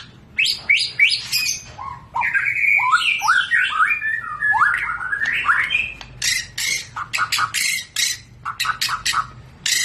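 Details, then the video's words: Agile, aggressive song of a white-rumped shama: rapid rising and falling whistled slurs, sweeping phrases, then a run of harsh broadband rasping notes in quick bursts. "Kelincahan MURAI BATU SUPER dalam berkicau"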